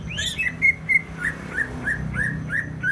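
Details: Greater green leafbird from Banyuwangi in East Java, singing vigorously: clear whistled notes, some sweeping upward, followed by a string of short repeated slurred phrases at a steady pace, against faint low-pitched background hum.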